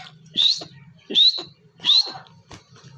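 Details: Grey francolin, known locally as teetar, calling with three loud, high, slightly rising whistled notes spaced about three-quarters of a second apart, over a steady low hum in the background.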